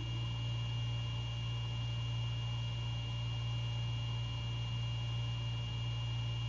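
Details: Steady low mechanical hum with a constant whirring drone and faint electrical tones, with no animal calls at night.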